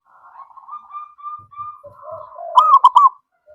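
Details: Zebra dove song used as a lure to prompt other birds: soft rolling trilled coos near one kilohertz, rising into a louder burst of bubbling notes toward the end, faint low knocks in the background.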